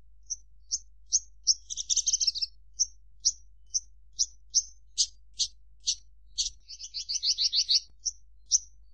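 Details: High, sharp single chirps from a Javan bush lark, spaced about every half second, broken twice by rapid buzzy trilled bursts; quiet background throughout.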